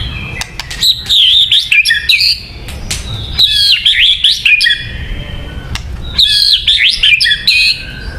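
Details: White-rumped shama song used for luring birds: three bursts of rich, fast warbled and whistled phrases, each about a second and a half long, separated by short pauses, with sharp clicks between them.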